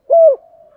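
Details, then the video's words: Spotted dove decoy cooing 'thúc gù' to draw answers from wild doves: one short, low, even coo that falls slightly at the end and trails off softly. "cu gáy mồi THÚC GÙ bài bản/ tiếng chim cu gáy kích thích bổi gáy theo và nổi rất lẹ"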